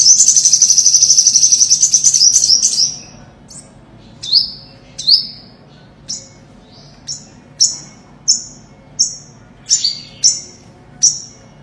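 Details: Olive-backed sunbird song used as a lure for bird trapping: a fast, high trilling run for nearly three seconds, then a series of short, high, sharp rising notes roughly every half second.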